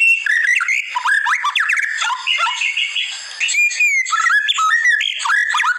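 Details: White-rumped shama (murai batu) masteran song: loud, busy phrases of stepped whistles and downward slides, a brief quieter gap near the middle, then renewed jerky whistled notes.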